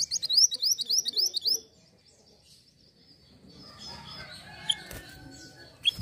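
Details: Hill blue flycatcher sound used to lure birds: a rapid run of about nine high, rising slurred whistles lasting under two seconds, then quiet with scattered faint chirps and clicks.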